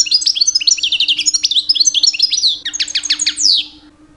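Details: European goldfinch, two years old, singing loudly in mating season to attract females; a continuous stream of rapid bright twitters and chirps over about three and a half seconds, ending in a buzzy downslur, then quiet.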